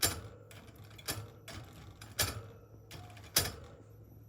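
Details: Irregular sharp clicks and rattling taps, like a typewriter or ratcheting mechanism, recur about once a second over a low steady hum, with no animal voice heard.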